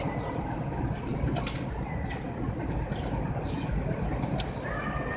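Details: Feeding of Eurasian blue tit young, 7 to 9 days old: thin, very high squeaks repeat rapidly in uneven bursts, mixed with clicks and scratching, over a low hum.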